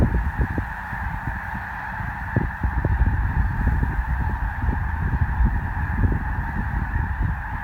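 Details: Migrating snow geese pausing at Columbus, Nebraska, a large flock calling together: unbroken layered honking that holds steady for the whole stretch over strong low-pitched wind buffeting.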